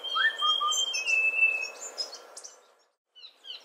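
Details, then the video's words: A Streak-breasted scimitar babbler phrase opens: a rising-falling whistle, then a lower short note, beneath a long steady high whistle. Scattered high twitters follow, then a brief pause. "Tiếng chim Họa mi đất ngực luốc, Streak breasted Scimitar Babbler [Bird Sound]"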